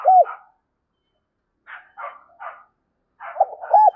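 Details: Spotted dove calling as a lure, with loud arched tonal coos at the start and end. Between them come three softer, husky notes in a short spaced run after a silent gap.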